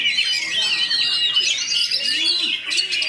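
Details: White-rumped shama in a fast, dense rolling song style: continuous tumbling high whistles, warbles and trills with hardly a pause.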